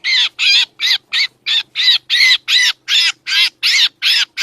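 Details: Black drongo lure call used for trapping birds: about a dozen harsh, buzzy, arched notes, each roughly a quarter-second long, repeated steadily almost three times per second, with no other sounds.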